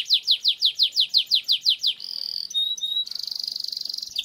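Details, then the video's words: Canary lure song for training: about twelve evenly spaced downward sweeps, a short buzzy roll, a few pure high whistles, then a fast steady rolled trill. "Suara Burung Kenari Gacor Ngerol Panjang Untuk Pancingan Kenari Agar Jadi Juara"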